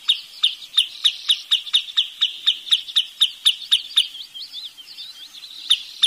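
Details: Wood sandpiper calling in a fast run of sharp, high, clipped notes, about four each second for some four seconds, then fading into softer high twittering.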